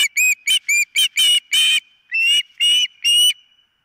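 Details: Osprey calling at the nest on a nest camera, giving about ten loud, shrill whistled cries in quick, slightly uneven succession, each note bright and ringing, with a faint steady tone underneath.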